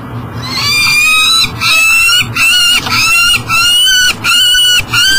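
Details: Peregrine falcon at a nest box beside the Mississippi River in Elk River, Minnesota, at 7 am, unable to get into the box with breakfast for its eyasses; loud, harsh, wailing calls of about a second each, repeated almost continuously.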